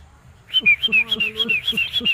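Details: A sooty-headed bulbul in a rice field gives a quick run of bright, clear whistles that alternate high and slightly lower, about five notes a second, over faint low background sounds.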